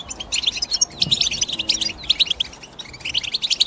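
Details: Rapid, bright twitters and short sliding notes from a European goldfinch, coming in clustered phrases broken by brief pauses, with a quiet low hum in the background.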